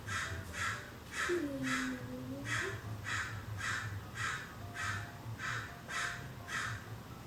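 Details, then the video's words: American crows in a California backyard, where many crows call in the morning and evening, recorded from inside a house: a steady run of about eleven harsh caws, roughly two per second, with a brief lower squeaky note early on. "เสียงกา อีกา ส่องนกธรรมชาติหลังบ้าน American Crow. California backyards birds."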